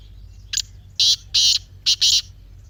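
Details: Grey francolin call played to make silent captive birds start calling: loud, shrill, high-pitched bursts, a short one then four strong ones in quick pairs, over a low hum.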